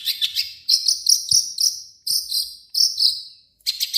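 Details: Long-tailed shrike song played as a lure to make other shrikes sing: bursts of shrill, high, slurred whistles and buzzy, insect-like trills, delivered in short phrases about every half second with brief pauses.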